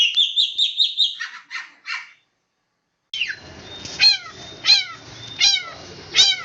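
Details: Long-tailed shrike in a 'roll speed rapat' song: a run of quick warbling notes, silence, then sharp descending whistled strokes roughly every seven-tenths of a second over a steady background hiss.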